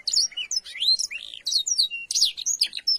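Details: Canary chirping used as a tutor recording for young canaries learning to twitter, with blackthroat-style fill: rapid, high, varied twitters, sweeping whistles and short trills, tumbling on without pause.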